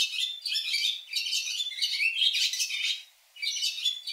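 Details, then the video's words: Barn swallow song: a fast, scratchy twitter of high chirps and buzzy rattles in bursts of about a second, with brief pauses and no other sounds. "ツバメ さえずり"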